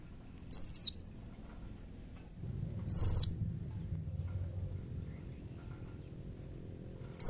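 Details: Blue-crowned hanging parrot call meant to prompt other hanging parrots to answer: three short, very high, shrill buzzy notes spaced two to four seconds apart, with a faint constant high whine and low background rumble.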